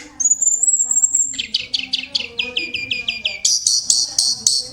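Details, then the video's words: Vocal tutor tledekan song opening with a sustained very high whistle, followed by quick repeated chattering notes stepping down, then a fast bright high trill. "tledekan sang guru vokal"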